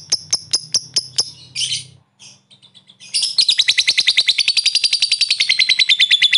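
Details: Lovebird singing a ngekek trill to provoke rivals: a row of sharp, spaced high chips and a short chatter, then a long, loud, rapid trill of evenly pulsed notes for about three seconds.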